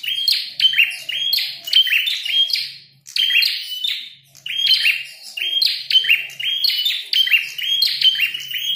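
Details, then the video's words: Red-headed prinia, described as fighting and singing vigorously, giving loud, rapid, chirping bursts of sharp high notes in about five dense phrases separated by short pauses, with no other clear sounds. "Prenjak tarung gacor | prenjak kepala merah"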